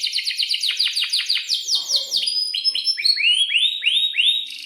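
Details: Vigorous canary song meant to prompt young birds to answer: fast downward-sweeping chips repeated about five per second, then a string of rising, arched whistled notes, all high-pitched and clear.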